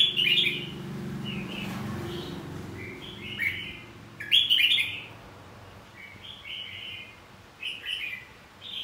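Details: Fighting song of a red-whiskered bulbul for training birds to sing: lively warbled phrases in clusters, loudest near the middle, with a faint low hum in the background at the start.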